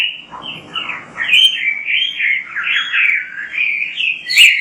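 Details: Kacer, the Oriental magpie-robin, singing continuously in a training recording for other birds: fluid warbled whistles wavering up and down, dense and unbroken, ending with a sharp bright chirp, over a faint low hum.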